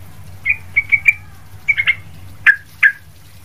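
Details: Sooty-headed bulbul, recorded as noisy, lively calling used for tutoring other bulbuls: short chirped notes in small clusters, a run of four, then three, then two louder downslurred notes, over a low steady hum.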